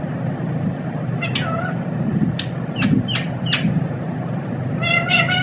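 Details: Parrot talking in short, sharp, clipped syllables. Four quick bursts come in a row, followed by a longer, strongly harmonic, buzzy phrase at the end. A low rumbling background runs throughout.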